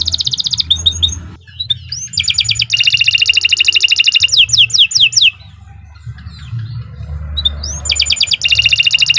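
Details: Canary master song for training: bursts of fast high trilling and sweeping whistles separated by short quieter gaps, with a continuous low hum in the background.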